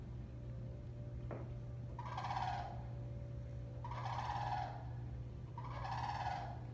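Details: Florida sandhill cranes in courtship: three rolling, rattling bugled calls, each about a second long and spaced nearly two seconds apart, over a steady low hum and background hiss.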